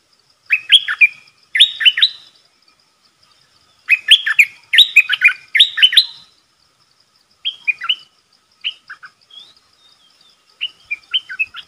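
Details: Trapping decoy red-whiskered bulbul luring a territorial wild bird: loud clusters of lively, bubbling chirped phrases early on, then softer, scattered short notes. A thin ticking runs in the background.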